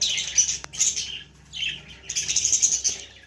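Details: Young budgerigar giving rapid, harsh high-pitched chirping in three bursts separated by brief pauses, with a sharp click near the start.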